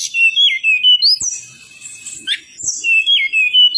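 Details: Striated prinia, a master recording used to coax reluctant birds into song, giving high whistled phrases that step downward, a brief sharp burst, then the same falling whistled phrase again.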